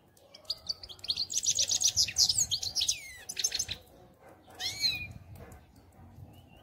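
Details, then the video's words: European goldfinch song: a fast, tinkling run of high chirps and buzzy trills for about two seconds, then a pause and a short slurred phrase. "Щегол Пение"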